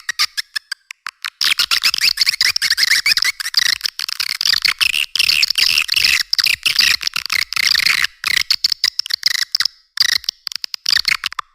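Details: Edible-nest swiftlet lure call for attracting swiftlets in cave and farming use: dense, buzzy high twittering chirps in rapid overlapping bursts, broken by brief silent gaps, with nothing in the low register.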